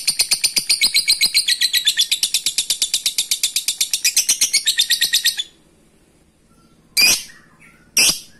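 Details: Lovebird giving a long ngekek chatter meant to call a rival: rapid harsh high notes about eight per second for five seconds, then a pause and two short separate bursts.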